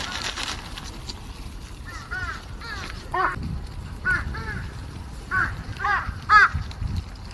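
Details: Many crows gathering to feed on March 18, 2026, giving harsh, arched caws in short bursts around two per second, rising and falling between louder and softer calls, over a low rumbling background.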